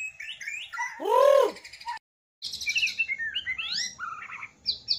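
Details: Captive white-rumped shama singing: a loud low arched whistle, then after a short gap a rapid run of varied high chirps, trills and sweeping whistled notes.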